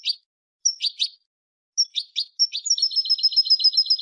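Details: Female European goldfinch calling to stir a silent male into singing: scattered bursts of high, scratchy chirps separated by short pauses, then a rapid, evenly repeated high twitter running to the end.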